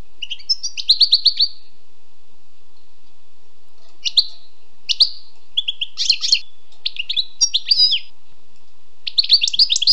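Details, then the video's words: Wild European goldfinch singing: bursts of bright twittering and buzzy trills spread across ten seconds, separated by short pauses, with sharp chirps between phrases and a quiet background. "Écoutez et appréciez le doux chant du chardonneret sauvage"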